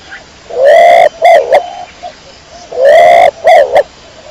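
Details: Close kecor domestic pigeon giving two loud phrases. Each is a long upward-sliding coo and then two short notes, with soft cooing in between.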